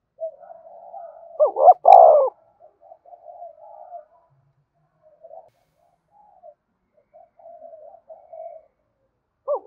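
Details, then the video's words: Cooing spotted dove, meant to stir other doves to coo: soft, murmured coos, then one loud phrase of quick hoots and a drawn-out coo near the start, quieter mumbling after, another phrase beginning at the end. "cu gay kich boi nhanh noi gù"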